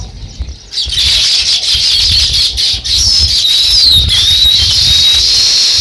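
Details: Sparrows starting a nest: after a quiet opening, loud, thick chirping chatter bursts in and continues steadily, with some squeaky high notes.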